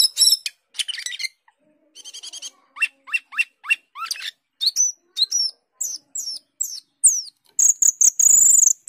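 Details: Asian glossy starling (cucak keling) singing intensely in gacor style: a rapid, varied string of high whistles, chattering bursts, upslurred and downslurred notes, and buzzy trills, ending in a sustained high shrill phrase.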